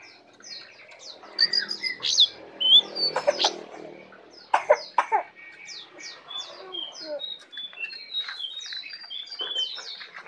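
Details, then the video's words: Brown prinia, tame and singing: scattered sharp chirps and thin downslurred whistles, several loud clicking notes around the second and fifth seconds, then a steady series of high twittering notes. "jongkangan jinak dan gacor full isiaan"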